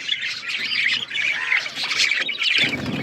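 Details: A flock of pet budgies squawks and chirps in a continuous stream of buzzy, high warbled notes, slightly rougher toward the end.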